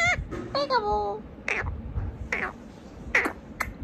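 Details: Ringneck parrot talking, several short squawky speech-like phrases and harsh notes spaced about every second, with some room noise.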